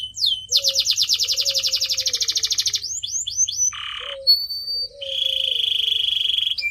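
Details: Canary singing, recorded for training pet birds: opens with a long, loud rolling trill, then a few swept chips, a coarse buzzy burst, a sharp whistle and a steady rapid rattle.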